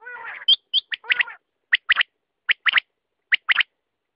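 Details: A wavering, harmonic nasal note opens, followed by quail giving paired sharp chirps about every three-quarters of a second.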